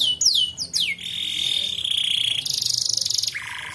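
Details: Canary song used as a lure to stimulate untrained canaries to sing: rapid high whistled sweeps falling in pitch, then a long steady whistle, a fast buzzy rattling trill, and a final lower rolling note.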